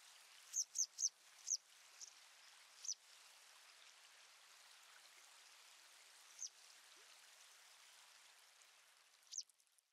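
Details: Citrine wagtail calling: a quick series of high, thin, squeaky chirps, then scattered single chirps with long gaps, against a faint steady hiss.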